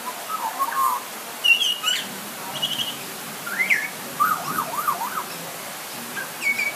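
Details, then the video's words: A butcherbird gives clear, fluting whistles, some slurred up or down and one a quick warbling run, over the steady hiss of light rain, with a bit of thunder in the background. "Butcher Bird Call"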